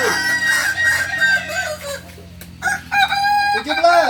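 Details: Kukuak Balenggek roosters at Ampangkualo on a Sunday, a long, steady, tonal crow over the first two seconds, a brief lull, then renewed bright crowing with rising and falling notes.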